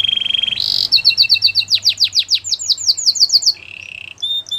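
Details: Canary training song opening with a steady buzzy trill and a harsh burst, then rapid repeated falling notes, ending in a low rolling trill and short whistles.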